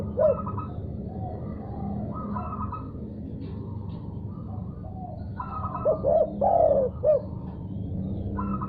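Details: Spotted dove responding after hearing a call. Mostly higher pulsed, nasal notes sound over a low rumble, and near the end comes a louder cooing phrase of short notes and a long descending coo.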